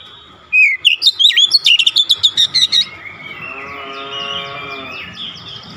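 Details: Oriental magpie-robin (kacer) with 'nembak' shooting song, its repertoire unloaded: swooping whistles break into a quick train of sharp repeated notes, followed by a low droning harmonic hum and faint thin whistles.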